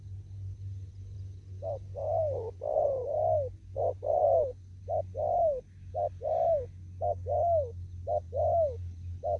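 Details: Free spotted dove in an upland field delivering 'đồng thúc gù' cooing: a loud, steady run of about ten hollow coo pairs, short then longer and bending downward, over a faint low hum.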